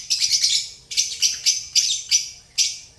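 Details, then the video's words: Shrill, piercing chirps from relaxed pet lovebirds: a fast cluster of squeaks, a short pause, then single sharp notes repeated roughly every third of a second. "Lovebirds relaxing chirping sounds"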